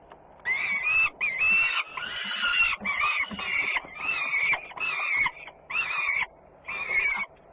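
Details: Young peregrine falcons at a nest in Włocławec, Poland, on 3 June 2010, around feeding, with a sister arriving home noisily: loud, harsh, drawn-out wails in about eight bursts, each under a second, over a low rumbling background.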